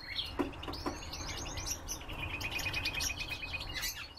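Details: Common redpoll giving rapid high twittering chatter, a run of quick buzzy notes with a few sharp clicks near the start, over a noticeable low rumbling background.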